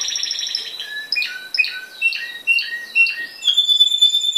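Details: Contest-trained Spanish timbrado canary, yellow with a black mark and hatched in 2012, delivers a series of quick descending trilled phrases about twice per second, ending in a pure sustained whistle.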